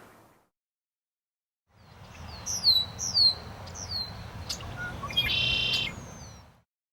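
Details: Red-winged Blackbirds in Missoula wetlands, where territorial males flash red wing badges to warn off other males, give sharp, high slurred whistles, then a buzzy trill under a second; steady low wind or traffic rumble underneath.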